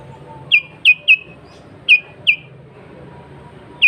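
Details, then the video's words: Lively sooty-headed bulbul, original sound used to call wild bulbuls and rivals: short, bright, down-slurred whistled notes, some paired, some single, spaced irregularly over faint hum. "Kutilang Gacor Suara Asli Tanpa Isian, Sangat Cocok Untuk Pancingan Kutilang Bahan Dan Ombyokan."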